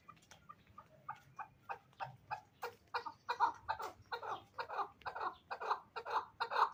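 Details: Hybrid fighting chukar partridge begins with quiet, scattered notes, then builds into a rising, loudening chuck-chuck series at about two notes a second, fuller and harsher by the close.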